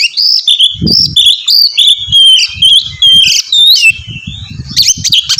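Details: Loud Oriental magpie-robin song meant to get another bird singing: continuous varied whistles, slurred rising and falling notes and scratchy chips packed densely together, with low thuds and rustling below.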